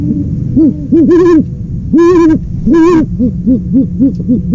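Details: Owl hooting in a rapid irregular series, short soft arched hoots alternating with longer, louder, rich-toned hoots, about a dozen notes in under five seconds.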